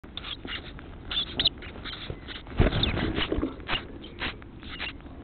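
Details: House sparrow chicks being fed by adults: a dense run of short, harsh chirps in quick bursts, some overlapping, several per second, over a steady low rumble.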